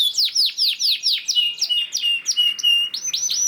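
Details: Canary lure song (pancingan) for setting other canaries singing: a slower run of loud, swooping downslurred notes, then a sustained level whistle, closing with sharply rising notes.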